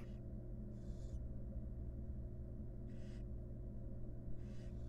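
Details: Inside a nest box, a wild barn owl mother grooms her young while four rasping hiss bursts sound at irregular intervals against a constant low drone.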